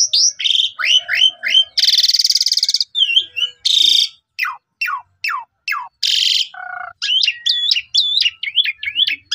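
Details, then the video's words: Asian pied starling lure song full of varied phrases, recorded by phone in Subang, Indonesia, meant to make caged starlings sing. Slurred whistles alternate with loud harsh grating bursts, sharp descending strokes and wavering looped whistles. "Jalak Suren Loyo Bakal Langsung Nyaut Gacor Dan Emosi Dengan Pancingan Jalak Suren Full Isian Ini"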